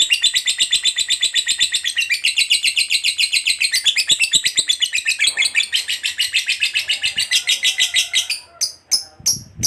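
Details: A lovebird's long 'ngekek' trill, used to encourage other lovebirds to sing. A continuous rapid chatter of high pulsed notes lasts about eight seconds, then breaks into a few separate sharp chirps with short gaps between them.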